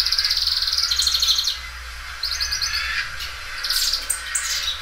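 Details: Well-cared-for Belgian canary singing loudly and repeating its song, with rapid high rolled trills, a pause, then further bursts of quick chirped notes and trills.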